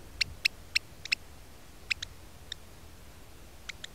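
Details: An African black oystercatcher on Robben Island gives sharp, high piping notes, a quick run of four and then scattered single calls, while a mole snake eats the pair's eggs. A faint low rumble runs behind.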